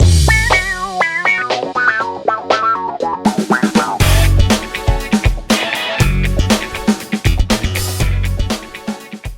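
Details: Loud plucked guitar melody, then a full band with drums and bass guitar, and no animal sound.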